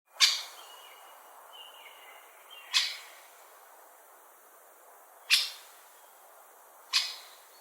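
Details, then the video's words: Great spotted woodpecker giving sharp, short 'kik' calls, four loud abrupt notes spaced about two to three seconds apart, with faint thin whistles of another bird in the background. "Woodpecker Call"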